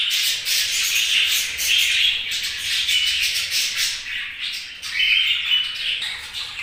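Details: Budgies keep up an unbroken, raspy chatter of overlapping chirps and squawks, with brief thin whistled notes threaded through.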